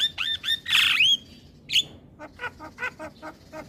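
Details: Morning song of a Javan pied starling with whistled slurs and a loud harsh screech, followed by quieter, regularly repeated raspy chatter notes.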